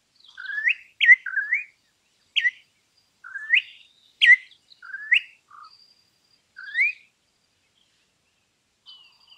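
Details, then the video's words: Imported campo troupial delivering a run of short upslurred whistles, some paired, repeated over several seconds, with a few softer lower notes and faint high twittering behind. "suara burung import campo troupial"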